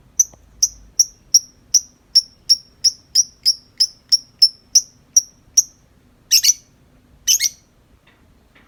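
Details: Lovebird, tame and out of its cage, giving long 'ngetik' chatter: about fifteen sharp high ticking chirps spaced roughly every 0.4 seconds, followed by two louder harsh buzzy bursts.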